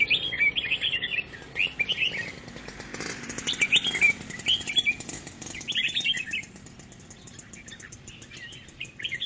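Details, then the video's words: Grey-cheeked bulbul in 'ngoceh' chattering song style: bursts of rapid, scratchy, warbled notes come in clusters every second or two, separated by short pauses, with faint background hiss. "Burung Cucak Jenggot NGOCEH"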